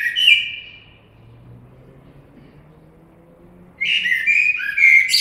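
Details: Blackbird song: a fluty phrase tails off at the start, then after a long pause a new mellow warbling phrase rises into thin high squeaks; quiet low rumble in between.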